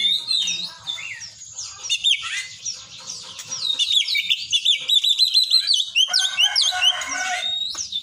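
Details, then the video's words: Oriental magpie-robin mimicking the cinereous tit, delivering fast bright whistles, then a rapid series of repeated upslurred notes, followed by varied chirps and a long sustained high tone. "kacer isian glatik batu"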